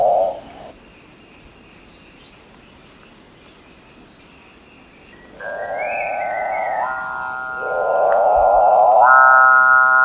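Capuchinbird giving low, drawn-out mooing tones with a rich, hollow ring, swelling in two long notes after a brief opening sound.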